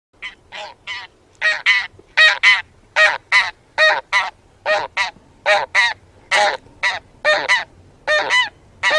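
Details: Taiga bean goose (Anser fabalis) giving a steady run of loud, nasal honks, often doubled, about one or two each second, with no other sounds.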